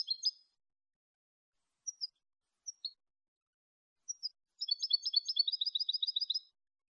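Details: European goldfinch singing clean Malagueño song for tutoring goldfinches: a few isolated sharp notes with long gaps, then a sustained two-second rapid trill of bright, evenly repeated notes.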